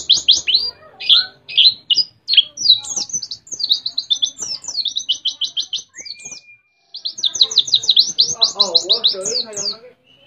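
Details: White-eye from Mount Ciremai, West Java, singing canary-style phrases: a fast, dense stream of high chirps and rattling trills, with a brief level whistle near the end before the chattering resumes.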